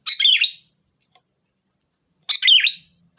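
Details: Kutilang, the sooty-headed bulbul, singing a lively lure song to provoke replies: two bubbly, liquid phrases of rising and falling notes about two seconds apart, with a faint constant high whine behind.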